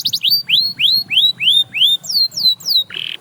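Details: Singing canary prompting other canaries to sing: a series of upward-curving whistled notes, then several downward-slurred whistles and a closing buzzy rasp.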